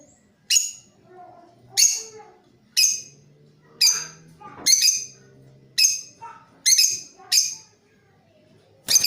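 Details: Creamino lovebird giving a lure call of ngeriwik and ngekek chatter used to tutor other birds; loud harsh shrieks roughly once a second, each a short grating burst, with quiet gaps between.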